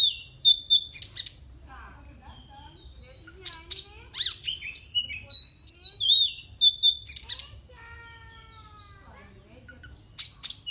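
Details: Caged oriental magpie-robin in Indonesia, singing to provoke rival birds. High warbled whistles and harsh scratchy bursts alternate with a steady, tonal whistled sound with layered overtones in the middle.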